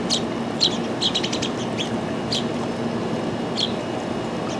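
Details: Sparrow calling with bright, sharp chirps in quick bursts of two to four, then spaced single notes, set against a steady broad background rumble.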